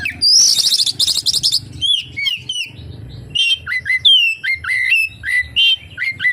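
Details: Oriental magpie-robin singing a full mimicry-laden song, opening with a dense buzzy trill, then varied clear whistles, rising and falling slurs and sharp chips in quick succession.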